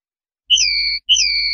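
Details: Linnet, 'limpio' clean song from a 2019/2020 CD: two identical pure whistles, each starting with a quick upward flick, then holding a steady tone for about half a second, in a silent background.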